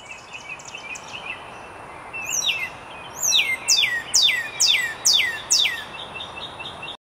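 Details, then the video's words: A male northern cardinal in a front-yard tree sings a bright series of sharply falling whistles, about two per second, over faint chips from other birds and a steady high hiss. "Northern Cardinal"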